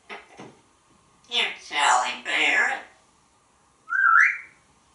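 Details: Male African grey parrot hatched in 1997, kept in a home in Texas, talking and laughing at himself: a few soft clicks, then a run of speech-like chattering syllables, a pause, and a single rising whistle, indoors in a small room.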